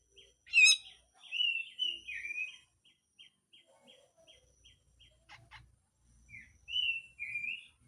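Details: Grey-cheeked bulbul, harsh full song: one sharp upswept note, wavering slurred whistles, a run of soft evenly spaced ticks and a few clicks, then more drawn-out warbled whistles.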